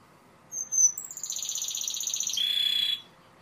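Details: Timbrado canary: a short thin whistle opens into a steady rolling high trill that slides into a lower, buzzier rattle, lasting about two and a half seconds.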